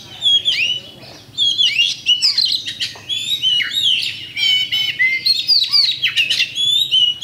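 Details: Oriental magpie-robin, a champion bird, singing a lure song meant to provoke fighting: a dense, varied stream of sharp whistles, trills and chattering notes that sweep up and down, with one short pause early on.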